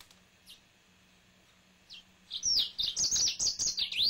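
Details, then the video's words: Two or three faint single chirps from a pet male yellow-fronted canary precede a loud, quick, high warbling song of looping whistles and trills beginning after two seconds, with a low electrical hum beneath. "Finch Green Singer Song (Serinus mozambicus )"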